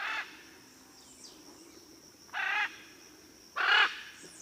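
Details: Blue-and-yellow macaw calls: three harsh, grating squawks, each about a quarter-second long and spaced one to two seconds apart, with a constant thin high whine behind them.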